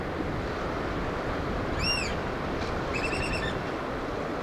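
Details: Black oystercatchers feeding chicks in Washington's Pacific Northwest: a single arched, whistled piping note near two seconds, then a quick burst of short, clipped piping notes, all over a steady roar of surf.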